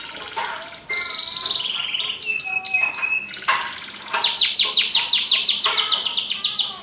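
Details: Canary singing energetically, a recording meant to prompt silent birds to sing: varied whistled phrases with steady tones and glides, then a fast, loud rolling trill of about fifteen repeated bright notes to the end.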